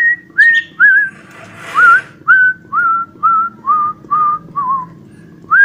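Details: Cockatiel whistling an imitated children's tune, a series of clear whistled notes, some flat, some rising or wavering, about one every half second, over a steady low hum indoors.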